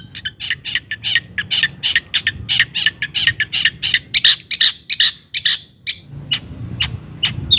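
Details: Long-tailed shrike singing energetically to trigger rival shrikes into song: dense, scratchy chattering notes tumbling rapidly, a brief pause, then a few scattered harsh calls.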